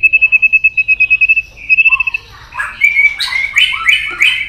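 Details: White-rumped shama provoked into competitive singing: a quick string of identical clear whistled notes, a short buzzy phrase, then loud slurred warbles.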